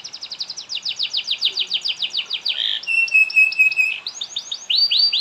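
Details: Canary song used to get other canaries singing: rapid series of sharp descending notes, a short harsh buzz, a level ringing whistle with overtones, then looping rising-falling phrases.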